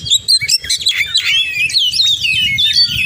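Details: Short, dense burst of oriental magpie-robin full-isian song, twittering whistles and quick wavering slurs run together, while a low rhythmic music beat thumps beneath.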